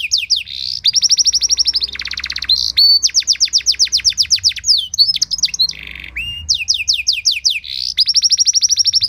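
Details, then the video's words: Canary song used as training material for other canaries, with luxurious cengkok phrasing: long runs of rapid descending whistled sweeps, broken by a buzzy rolled trill and short flat notes, sung continuously and loudly with no other sounds. "Materan Burung Kenari Lagu Istimewa! Cengkok Mewah Bikin Kenari lain Ikut Terpancing jadi Gacor"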